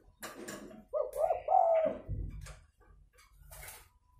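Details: Spotted dove (Spilopelia chinensis) fighting call, used as a lure to bring other doves down: a few low, hoarse coos rising and falling over about two seconds, with faint clicks and room noise.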